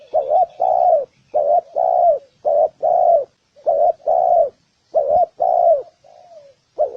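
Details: Spotted dove coos meant to stir males and females into cooing and fighting. Five or six quick pairs of mellow notes, a short warbled note then a fuller drawn-out coo, repeated rapidly, with a soft trailing note near the end.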